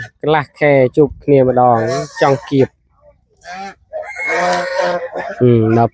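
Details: Farm geese gathered for food in a Cambodian village give a run of short, stacked nasal honks in quick succession, a pause, then a noisier burst and more honks, with a man speaking.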